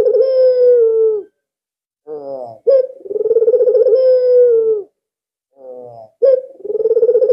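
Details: Drawn-out rolling coos from an albino Barbary dove kept as a lure for other doves, each low purr lasting one to two seconds, interspersed with brief stuttering notes and pauses.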